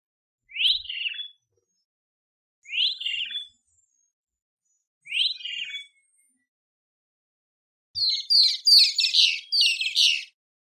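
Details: Great kiskadee calling three times at roughly two-second intervals with a sharp rising note and rasping falling tail, followed by a burst of rapid, chattering high notes from several birds.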